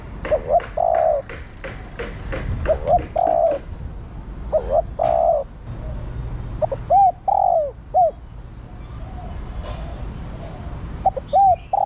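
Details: Calling female spotted dove, meant to stir the male. Rapid series of low coo phrases, each with short hoots and a longer coo, then separate arched, falling hoots, with occasional clicks.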